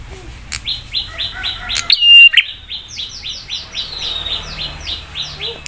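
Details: Prinia song used as a lure to provoke other prinias into replying: a fast series of short, buzzy, downslurred chirps, interrupted midway by one loud, sharp, sustained whistled note with clicks, then another rapid run of chirps.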